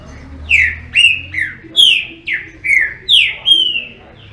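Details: Green-winged saltator singing a rapid series of loud, clear whistles, each note sweeping downward, about nine phrases in quick succession with short gaps between them.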